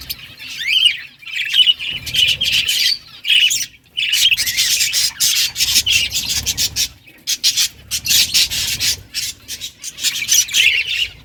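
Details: Home breeding colony of caged Australian budgies; loud, dense bursts of buzzy chirps and squawks from several birds, broken by short silent pauses.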